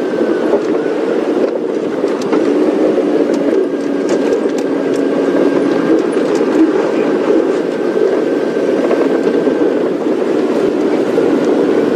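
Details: A steady vehicle engine drone with faint speech, and no animal calls.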